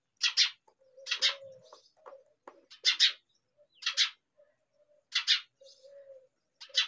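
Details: Hungry baby myna begging: loud raspy double-note chirps repeated about once a second in bursts, with softer low chattering notes between them, indoors.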